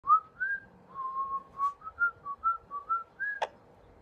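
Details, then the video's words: Pet parrot whistling a musical run of clear tonal notes, short rising and level whistles in quick succession, ending with a sharp click, indoors. "My 🦜 Parrot Is More Musical Than Me!"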